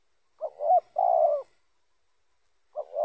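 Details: Spotted dove cooing, used as a lure for other spotted doves: a short two-part coo followed by a longer, steady, mellow note, with a new phrase starting near the end. Quiet background.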